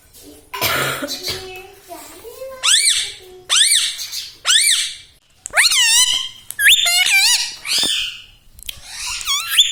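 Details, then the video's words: Pet ring-necked parrot, said to speak words like mummy, papa and radhe radhe indoors, produces a long run of short arched, rasping vocal phrases, roughly one per second, some sharply bent and warbled, between brief pauses. "parrot talking mithu ||tag name parrot voice||"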